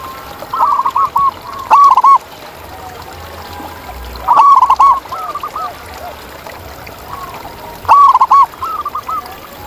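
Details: Zebra dove singing wild in nature: repeated phrases of soft, bubbling coos, each a rapid cluster of arched notes. Loud phrases alternate with quieter echoing ones roughly every three to four seconds, suggesting more than one bird.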